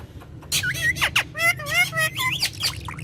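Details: Indian ringneck parakeet kept as a pet, speaking Urdu/Hindi in a courtyard: a quick run of bent, nasal, speech-like syllables and short squawks, with steady low background noise.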